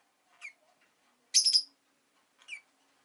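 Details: Pet rosy-faced lovebird chirping indoors: a few short bright chirps, one louder harsh burst in the middle, separated by quiet gaps, with faint background hum.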